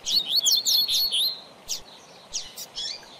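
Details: Double-collared seedeater, known as coleiro or papa-capim, singing a tutor song for training young birds: rapid high warbled phrases with sliding whistled notes for about a second and a half, then short isolated chirps.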